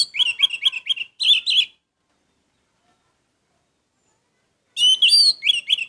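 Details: Orange-headed thrush, a captive songbird, in a loud, lively burst of rapid varied whistled phrases with chattering notes, a pause of about three seconds, then another bright jumbled burst.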